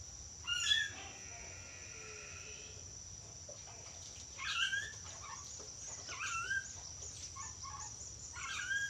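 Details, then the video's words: A talkative yellow-crested cockatoo gives scattered hoarse, word-like utterances with rising and falling inflections, separated by pauses of a second or more, while a constant high-pitched hum runs underneath. "Burung kakatua jambul kuning pintar ngomong"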